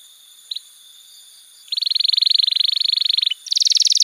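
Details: Canary master song for young birds: after a brief chip and near silence, a long rapid rolled trill follows, then a higher buzzy roll.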